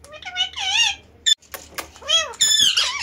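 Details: Talking, dancing pet parrot indoors: wavering speech-like phrases with rising and falling tones, a sharp click, then rapid squeaky mimicked syllables.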